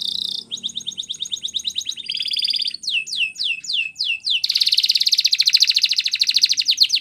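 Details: Belgian canary singing a training song: a brief buzz, then pulsed trills and a run of loud downward-swept whistles, then a long dense, rapid rolling trill, with faint low hum at the start.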